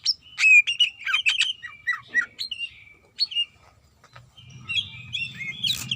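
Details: Female greater green leafbird calling for a male while in breeding condition: quick bursts of sharp chirps and short slurred whistles, a pause, then thin whistles over a low rumbling noise near the end.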